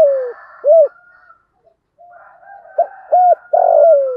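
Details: Spotted dove decoy calling to stimulate wild doves, in the thổ voice style: short arched coos, then a gap, then two clipped notes and a long, loud coo sliding downward, with a faint higher hum behind it.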